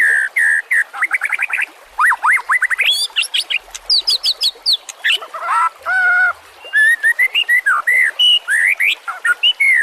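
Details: Song of a white-rumped shama intended as a master recording for other songbirds: repeated whistled notes in fast runs, mixed with high thin notes, a harsh nasal phrase and varied melodious slurs.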